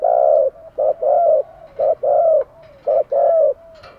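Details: Spotted dove used as a decoy to attract wild doves: loud, mellow coos, each a brief note followed by a longer slightly falling one, repeated in a steady rhythm.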